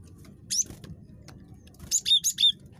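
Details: Cinereous tit, very chattery, used as a lure: one high note followed after a pause by a quick run of four sharp, ringing notes, over a low background murmur.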